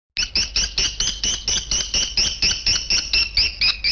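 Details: Edible-nest swiftlet lure sound of the style called PJW old, meant for swiftlet nesting houses: bright, buzzy high chirps repeated steadily about twice a second, each with a sharp onset and a brief fade, with a faint low hum beneath.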